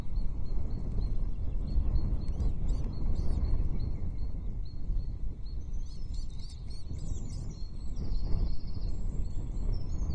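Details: Female osprey and chick at the Loch Arkaig nest camera on 9 June 2023, calling excitedly as the male brings a breakfast fish. High, thin chirps and whistled notes repeat rapidly, set against strong low wind rumble.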